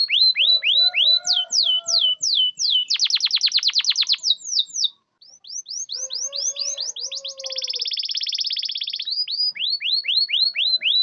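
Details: A long canary song sequence, used to get quiet canaries singing, alternates runs of sweeping whistled notes with rapid buzzy trills. A short pause comes midway.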